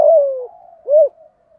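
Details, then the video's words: Lure spotted dove singing in the 'giọng thổ' style: a long, falling, slightly buzzy coo, then one short, arched coo after a brief gap. "Chim Cu Mồi- cu gay giong tho cuc dinh mở là 100% bổi gáy"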